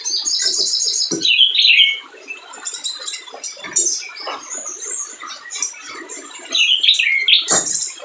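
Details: Spiderhunter song used as a lure for unwilling singers: a fast buzzy trill, then loud, sharp whistled notes, scattered high chirps and clicks, and another burst of piercing whistles near the end.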